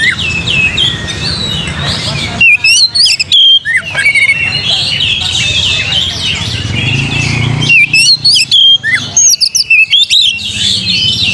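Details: Oriental magpie-robin song played to provoke other birds into singing: loud bursts of sharp whistled notes, rising and falling slurs and quick chirps. A dense chorus of other birds chatters in the background throughout.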